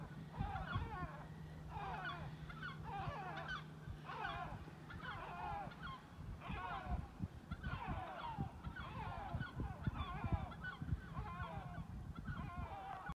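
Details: A party of several great black-backed gulls call over one another in deep, hoarse, laughing bursts about every second, over a steady low rumble of wind or surf.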